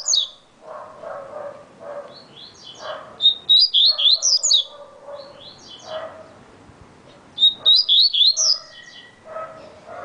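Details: A coleiro baiano, or yellow-bellied seedeater, delivers a very fast song. Rapid high zigzag chirps come in short bursts repeated about every two seconds, with a lower muffled background sound between the phrases.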